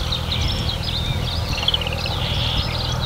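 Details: Marsh warbler song, rich in mimicry: a continuous twittering medley with a quick trill of repeated notes, set against loud steady low droning noise.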